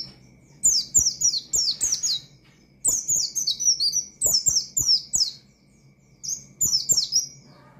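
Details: Provocative ngalas song of an Oriental white-eye (pleci), aimed at rousing rival birds. It comes as three chattering runs of bright, downward-sweeping high notes, closely spaced, with gaps of under a second between runs.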